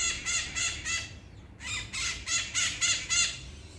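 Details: Harsh, grating squawks from maritaca parakeets at seven on a rainy August morning in 2022. The calls are repeated rapidly, roughly three or four per second, and break off briefly before resuming just as loudly.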